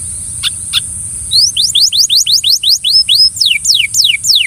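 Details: Belgian canary coaxing another canary to sing, giving a series of sharp high descending whistled notes about four per second after two brief opening chirps; steady high hiss in background.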